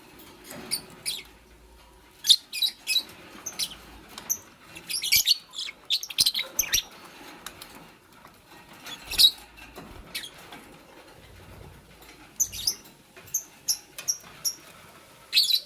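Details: Green Fischer's lovebird, kept with a pastel bird, building a nest: short, sharp, high chirps come in irregular clusters, several in quick succession, separated by quieter gaps with soft rustling and scratching of nest material.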